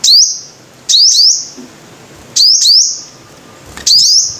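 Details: Four bursts of high-pitched sunbird song, a bird known as the five-coloured sunbird: sharp rising flicks running into drawn-out thin tones, one to two notes per burst, spaced over a second apart in a quiet setting.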